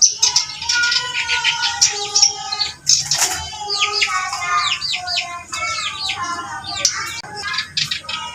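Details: Lively reed warbler song mixing drawn-out, clear whistled tones with rapid, sweeping chattering phrases and harsh bursts, delivered in rich, varied runs.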